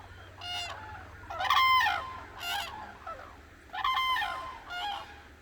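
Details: At dawn on the Hantan River in Cheorwon, in the middle of the Korean peninsula, cranes trumpet in loud, rich bursts, roughly one every second or so, with several birds overlapping and fainter answering calls between.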